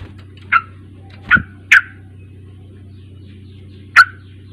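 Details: Sooty-headed bulbul notes for coaxing a young bird to sing: four abrupt, sharp chips with short downward tails at irregular intervals, over a steady background hum.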